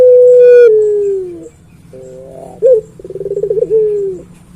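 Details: Puter pelung dove ending one long droning note that slowly falls, then starting again with a short hooting note and a quick throbbing roll that trails into a drawn tone.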